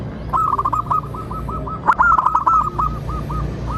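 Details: Local zebra dove, a lively singer, played as a lure to get other zebra doves to sing and answer. Rapid runs of short, soft cooing notes at a steady mid pitch, one run after another, with faint clicks and low background hum.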